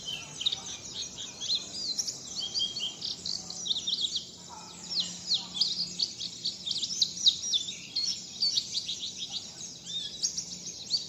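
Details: Songbird practising a "wit wit zipeer" song: an unbroken stream of high, thin twittering and quick chirps, with a low steady hum underneath.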